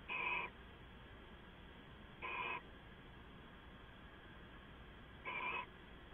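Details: Owl at night, 2 September 2014, heard via a live camera: three short, hoarse rasping screeches spaced about two and three seconds apart, each under half a second, with a quiet hum between.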